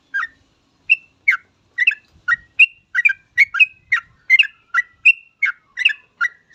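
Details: Lure song of a yellow-vented bulbul meant to make other bulbuls start singing. It opens with a lone note and a pause, then gives an even, unbroken chain of chirpy, gurgled notes, a little over one per second.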